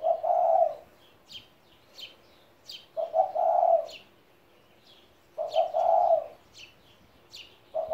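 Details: A 17-year-old spotted dove gives soft, low, mellow cooing phrases roughly every three seconds, while small birds add thin high chirps between them.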